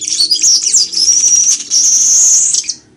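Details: Weaver (chichiguago) singing for teaching birds to sing: a loud, continuous high buzzy and sizzling song with whistled warbles, lasting nearly three seconds before fading out.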